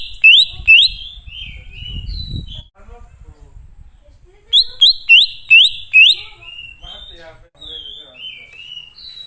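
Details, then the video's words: Wild-type greater green leafbird song used as a lure to call wild birds: loud rising whistled notes repeated in a fast burst of five, then softer slurred descending whistles, with low rumbling noise early on. "Pancingan Burung Cucak Ijo Ngalas Di Jamin Langsung Nyaut"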